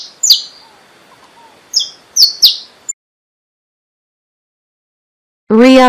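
A Saffron Finch gives four sharp, high chirps spread over three seconds. A pause follows, and then a brief burst of voice or music.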